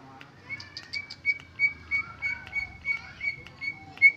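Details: Greater green leafbird singing its original song without mimicked fill-ins: a steady run of clear, sharp whistled notes at a bright pitch, with some lower slurred whistles and brief chirps woven between them.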